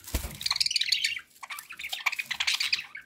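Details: Companion budgerigars indoors giving dense, scratchy chatter mixed with high chirps and squawky notes, opening with a sharp knock, then a short lull before the twittering resumes.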